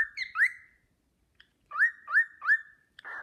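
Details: Whistled melody of the Sportpalast Waltz by a pet cockatiel: two quick rising notes, a silence, then three evenly repeated upward-sliding whistles and a final rough buzzy note.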